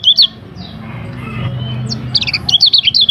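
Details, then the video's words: Short burst of high chirps, a quiet hum-filled pause, then a quick run of clipped twittering notes, from a varied lemon-bellied white-eye training song. "Masteran Kecial Kuning Suara Bervariasi"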